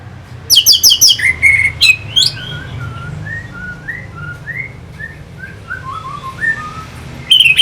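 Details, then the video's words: Orange-headed thrush song used as a lure to stir birds into fighting form: loud harsh, buzzy burst with high whistles, then a quiet run of short slurred whistled notes. "Pancingan SUara ANIS MERAH Pembangkit Figther Burung"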